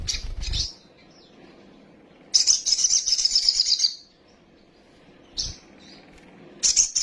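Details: Sunbird, kept as a caged songbird, singing agitated: bursts of high, thin, rapid twittering trills lasting about one to two seconds, separated by pauses, with a low thump at the start.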